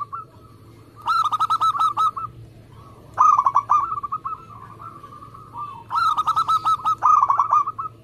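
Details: Local zebra dove singing vigorously in a fast, tight competition style: three bursts of rapid, bubbling cooing notes, each burst a quick run of about eight pulses, separated by pauses with softer trailing coos.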